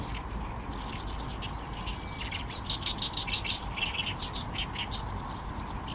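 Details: In reeds next to the Fukuoka Airport runway in Japan, an energetic oriental reed warbler sings rough, rasping syllables in rapid repeated runs, building up after a quieter first two seconds, with constant low background hum.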